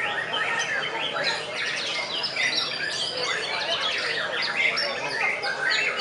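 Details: Shama song during a songbird contest in Pekalongan: a steady stream of fast sweeping whistles, clicks and chattered trills, several birds overlapping without pause, with a soft background hum of people.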